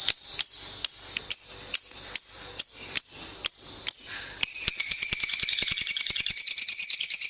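A lovebird sings high, shrill chirps in an even beat, about two a second, then breaks into a fast, continuous, chattering trill. No other sounds are heard.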